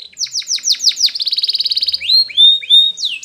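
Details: A Spanish Timbrado canary sings for training: a run of descending chip sweeps, a fast ringing trill, then three drawn-out rising whistles.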